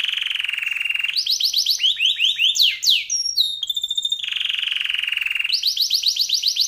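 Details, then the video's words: Long-lasting, richly varied canary song: sustained high trills, stepped rapid rolls, swooping downward slurs and a buzzy mid section, then the rolling trill returns, all high and unbroken. "Kenari Gacor Isian Lagu Mewah, Durasi Panjang"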